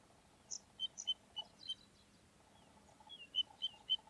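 Little ringed plover giving about ten short, high, clear piping notes, some slurring downward, in two quick bursts, over a faint low hum.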